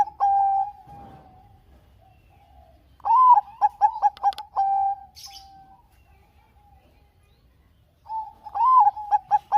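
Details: Bangkok zebra dove singing steadily, meant as a lure for other doves: a long soft coo, then a bout of rapid bouncing notes and held coos, and a fresh phrase starting near the end.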